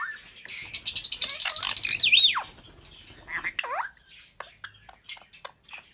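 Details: Albino red-eyed lovebird pair chirping: a burst of shrill, rapid, buzzy chatter for about two seconds ending in a falling whistle, then scattered sharp chips and short squeaks with quiet gaps.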